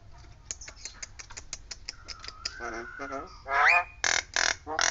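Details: Nias hill myna imitating a siren: a quick string of sharp ticking notes, a long steady whistled tone, then a rising swoop and several loud, harsh, blaring bursts.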